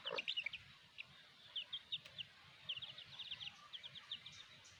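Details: Black hen and her chicks: an opening lower cluck-like note, then series of short high peeps in small bursts across the rest, with a faint click midway.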